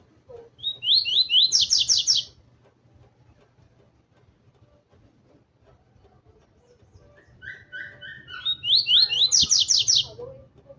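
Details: Two loud song phrases from a double-collared seedeater excited by a loose female, each a run of quick down-slurred whistles ending in rapid buzzy strokes, about six seconds apart, with soft lower notes between.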